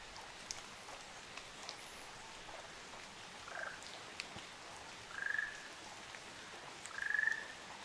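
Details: Ruddy kingfisher pair on Amami Oshima, Japan: two short pulsed trills, each about half a second, level and slightly rising in pitch, spaced about two seconds apart near the end, over steady background hiss with scattered clicks.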